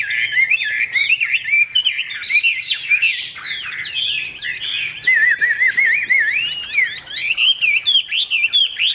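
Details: Caged Chinese hwamei of the leaf-shaped-tail type pouring out a rich, continuous song of looping, slurred whistles and warbled phrases, loud and varied throughout.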